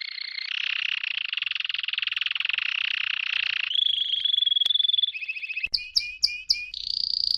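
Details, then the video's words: Canary song meant for tutoring young canaries: a long buzzy rolling trill, then a steady pure whistled note, a short rapid trill and a run of quick repeated sweeping notes, ending in another rolling tour. "meilleur chant de canari pour l'écolage"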